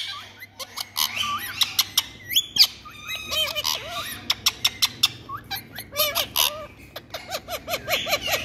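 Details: Ringneck parakeet talking: a rapid, varied run of squeaky, scratchy syllables and sharp clicks, with repeated arched, wavering notes near the end in quick series.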